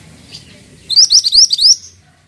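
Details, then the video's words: Pied triller singing a short, loud phrase of about seven quick, high upslurred notes in under a second, with little else heard. "MANTENAN GACOR"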